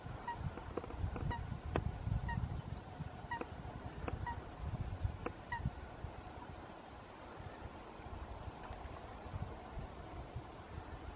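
Black-winged stilt giving short, nasal, yelping notes, singly or in pairs, through the first six seconds, then fading, over a constant low rumble of wind.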